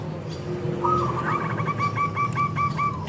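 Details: Local zebra dove song used as a lure to make other doves sing: one soft phrase of evenly spaced beaded coos rolling on for about two seconds, over a low background hum.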